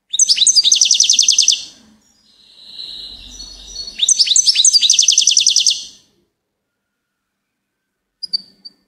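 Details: Rapid, liquid twittering from a goldfinch, then a drawn-out nasal wheeze, then another long chattering burst, ending with a few faint isolated chips.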